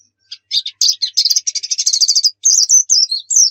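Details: Javan white-eye song played as a lure to get birds singing: a few opening chirps build into a rapid, chattering high trill, followed by clear whistled slurs.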